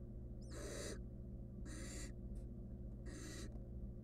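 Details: Wild barn owl nestling in a monitored nest box, trying to eat a stolen rodent alone. Three harsh, broadband hissing screeches, each about half a second long, come roughly every 1.3 seconds over a steady low hum.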